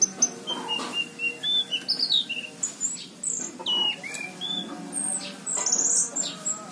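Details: Orange-headed thrush in full song, Cirebon, 2019: a rambling mix of piercing high whistles, short downslurred phrases and scratchy notes in quick succession, with a soft low hum beneath.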